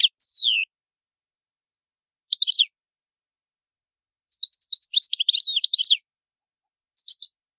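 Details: A Palermo (Sicilian, old-type) European goldfinch sings, for tutoring young goldfinches, in bursts of bright, high, liquid twittering with quick descending slurs and tinkling trills, separated by short silences.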